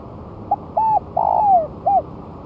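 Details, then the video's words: Lure recording of a spotted dove a month after its moult, set on the ground and singing well: one phrase of a tiny opening coo, a double note, a long trilled falling coo and a last soft note. "Pancingan Suara Tekukur"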